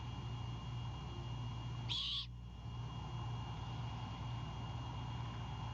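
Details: A single harsh, hissing screech from a great horned owl owlet defending a bird its father brought to the Savannah nest at night on 26 March 2022, over a constant low hum.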